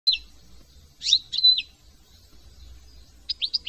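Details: European goldfinch, a partially migratory finch from France, giving brief high twittering phrases: a short note, then a pair of bright slurred notes near one second, and a quick triple flourish at the end, with pauses between.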